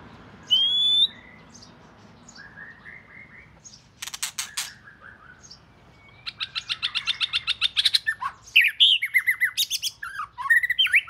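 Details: Oriental magpie-robin, known in southern Thailand as nok binla, the first of its kind at a home, singing loud, varied whistled phrases: clear slurred notes, short rising whistles, then rapid chattering bursts and sweet warbled notes near the end.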